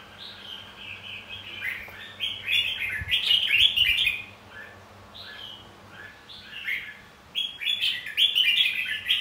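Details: Red-whiskered bulbul pouring out fighting song meant to provoke other bulbuls to sing; tumbling series of quick whistled and chattering notes, building to a loud cluster, a pause, then a fresh energetic burst, faint low tapping.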